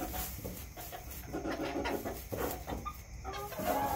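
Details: Several backyard chickens cluck busily, short nasal notes overlapping and repeating irregularly, with one higher drawn-out tone near the end and a low hum behind.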